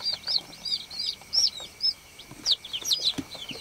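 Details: Farm baby chicks giving slower, spaced peeps, some arched and some falling, roughly one per second, with light rustling in the background.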